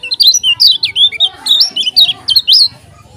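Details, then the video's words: Kecial kuning from Lombok in a fierce bout of song: a fast run of loud, high, looping whistled notes in quick bursts, about ten phrases in under three seconds, then a sudden stop. "KECIAL KUNING TAK PUNYA NAMA, JOSS NGAMUK‼️ TAK TERBENDUNG"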